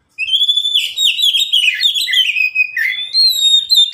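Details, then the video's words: Oriental magpie-robin in a cage, one of three birds calling back and forth, song meant to train lazy birds to sing; continuous rich warbling whistles, wavering and slurred, with a clear rising whistle near the end. "masteran burung Kacer yang malas bunyi"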